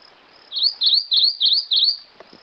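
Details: One loud, clear phrase of five high whistled notes, each sweeping down then up, from a Rufous-crowned Greenlet, evenly spaced and close.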